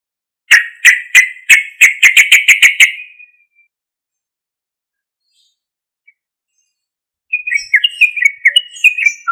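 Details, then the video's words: Sooty-headed bulbul used as a lure for other bulbuls. A quick series of about a dozen sharp, clipped notes, a silent pause of several seconds, then a second burst of slurred chirps. "Suara Trucuk Gacor Keras"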